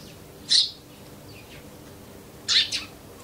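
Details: Eurasian tree sparrow, a wild bird found close to human homes in Japan, giving a loud harsh chirp, then after two seconds a quick doubled chirp, with faint softer notes between and low steady background noise.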